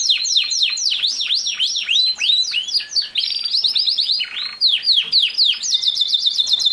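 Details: Canary singing aimed at a young male canary kept alone after leaving his parents, encouraging him to copy; loud repeated V-shaped swooping notes, rapid chattering trills and very high buzzy rolls.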